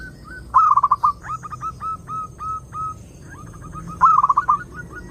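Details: Zebra dove song used to lure doves: a loud rapid stuttering roll, then a chain of clipped rising coo notes, a short pause and a second loud rolled burst followed by quick trailing coos.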